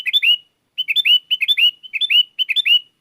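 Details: Sooty-headed bulbul singing hard to lure wild bulbuls, which reply. Loud, liquid phrases of three or four quick slurred chirps repeat about every half second in a steady series.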